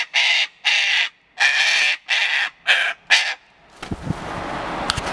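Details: A cockatoo in a tantrum lets out six harsh, grating screams at a steady rhythm, roughly one every half second, then falls quiet as soft rustling and handling noise take over.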